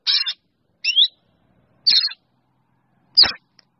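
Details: Drongo calling its flock with alternating harsh rasps and a rising whistle, four calls spaced roughly a second apart, with a faint low thump at the end.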